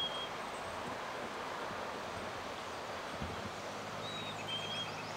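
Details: A male Black-capped chickadee sings at South Mesa Trail, Eldorado Springs, Colorado, on 9 May 2020 during a birding walk, giving one clean whistled fee-bee, high then lower, after a lone whistled note at the start, amid steady background rumble and rustling.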